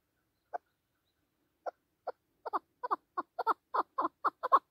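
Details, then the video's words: Chukar partridge, a hunting partridge calling in the mountains: a few spaced clucks that quicken into a rapid, rising-intensity run of harsh chuk notes, roughly four per second by the end. "Кабки Шикори Хониши Кабки Маст дар Куҳ Keklik sesi Kabk Partridge Chukar که و"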